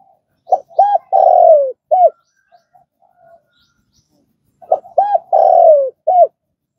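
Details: Spotted dove for quickly training caged decoy birds: two identical phrases about four seconds apart, each of clipped notes, an arched coo, a drawn-out downward croo and a final rounded coo, a few faint notes between.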